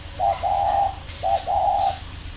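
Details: Captive four-year-old decoy spotted doves from a bird garden in Ba Vì, Hanoi, Vietnam, two decoys sparring, 26 June 2018: two mellow mid-pitched coo phrases, each a short note followed by a longer wavering one, over low background hum.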